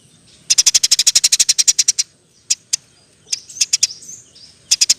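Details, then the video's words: Eurasian tree sparrow singing energetically in 'roll tembak' style, used as a tutor song: a rapid, tight run of about sixteen high chirps, then scattered chirps and a soft twitter. "Burung gereja gacor. Roll tembak pas untuk masteran"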